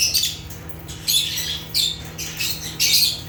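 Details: African lovebirds (Agapornis) making natural chirping sounds: loud, shrill squawking chirps in five bursts spaced roughly every 0.8 seconds, a low steady hum beneath.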